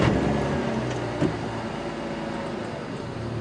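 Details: Idling vehicle engine with a brief knock and mechanical rattles during an afternoon safari drive; no animal calls stand out.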